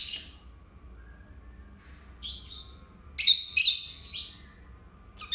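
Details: Two caged lovebirds kept as pets: a few scattered, thin chirps, then two loud, harsh high bursts close together and a final sharp note, over a faint steady hum.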